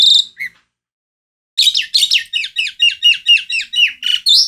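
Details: Asian pied starling singing loudly: a short opening burst and a brief pause, then a rapid run of harsh, buzzy and whistled notes, about eight per second, ending in a higher squeal.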